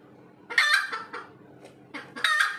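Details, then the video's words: After laying, a red junglefowl cackles with loud, harsh squawks and clucks in two bursts, the second rising to a sharp cry. "AYAM HUTAN SELEPAS BERTELUR"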